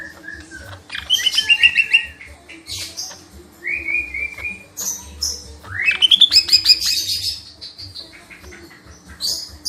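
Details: Lesser green leafbird singing a lively, varied song: bursts of rich chattering trills alternate with clear whistled notes, some rising steeply and others held level, with short pauses between phrases and a faint steady hum behind.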